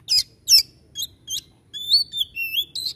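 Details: Several sharp high chips from a white-rumped shama, then a long sweeping whistled phrase with rising and falling slides.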